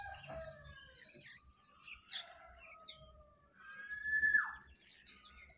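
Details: Jongkangan singing, wild bird against caged birds in a duel: varied sharp chirps and downslurred whistles, then a fast buzzy trill and a loud rising-falling whistle near the end.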